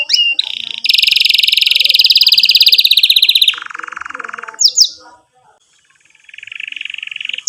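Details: Canary master song meant to help young canaries learn; a long, loud, even rolling trill, then a lower buzzy roll, a short sharp note, a brief pause and a softer low trill.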